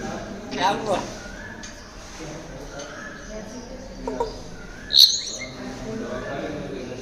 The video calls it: african grey parrot